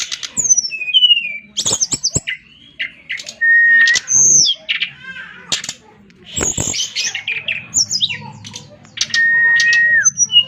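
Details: Brown-chested jungle flycatcher singing a long, varied medley of slurred whistles, harsh chatters and sharp chirps. Several sustained level whistles appear, with faint low hum in places.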